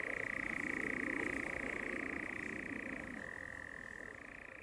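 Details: Courting European nightjar at dusk giving its long snoring churr, a dry rapid purring trill that runs steadily, then drops abruptly to a slightly lower pitch and rises again near the end.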